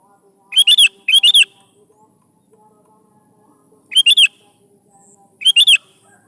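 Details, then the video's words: Sooty-headed bulbul singing actively, used as a lure to get young bulbuls to answer and sing: short bubbly three-note phrases, two in quick succession, then two more spaced about a second and a half apart, in a quiet background. "SUARA BURUNG KUTILANG GACOR"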